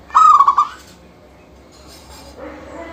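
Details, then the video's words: Local zebra dove singing at full strength, used to spur other doves into song: one ringing stuttered coo phrase early on, followed by faint chirps and rustling. "Suara kutut lokal gacor full manggung"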